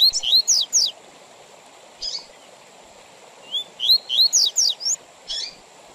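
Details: Double-collared seedeater performing the 'tui tui zel zel' song with pauses, aimed at tutoring young birds and tournaments: rapid bursts of rising whistles and buzzy sweeps, a single harsh note, then another long phrase, over light hiss.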